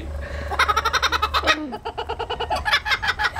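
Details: Laughing kookaburra chuckling, a brief run of quick rhythmic pulsed notes that climbs then settles into a steady hooting cackle, over a faint low hum.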